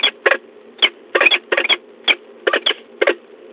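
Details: Peregrine falcons at De Mortel, a female with another bird flying around, 2 March 2022 at 07:18; harsh, rasping call notes in short bursts, often paired, about ten bursts within under four seconds over a quiet background.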